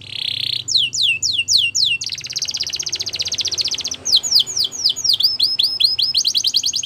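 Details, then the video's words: Belgian canary singing for training young canaries: a steady note, then a series of falling whistled sweeps, a fast buzzy trill near two seconds long, and more descending whistles with rapid trilled runs. "Belgian Canary Singing For Training!!"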